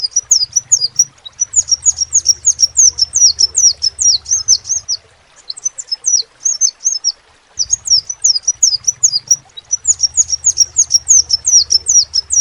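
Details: Long bursts of a crimson sunbird singing: very high, squeaky downward-sweeping notes tumbling quickly one after another, broken by brief pauses, then resuming at the same rapid pace.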